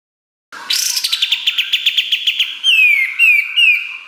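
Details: Energetic kapas tembak song with sharp fills for training songbirds; a fast run of crisp repeated notes followed by three loud, clear descending whistles.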